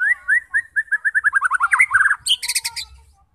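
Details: Lure song of a white-rumped shama for prompting combative birds to sing: a quick run of clear chirped notes accelerating into a tight trill, ending with a high, harsh chattering burst.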